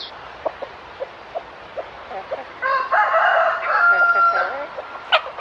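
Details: Free-range chickens in a natural setting: scattered soft clucks and clicks, then a loud burst of mixed cackling and squawking calls for about two seconds, ending with a sharp high note.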